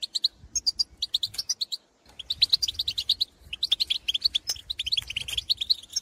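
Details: European goldfinches heard in the field, calling to others of their kind: lively twittering and tinkling chirps in dense bursts, a short silence around two seconds, then a long continuous chattering stretch.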